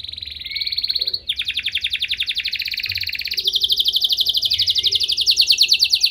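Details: Canary in Indonesia delivering a long song meant to stir other canaries into singing back: rapid buzzy trills of tightly packed notes, one pitch band giving way to a higher, steadily rolling trill.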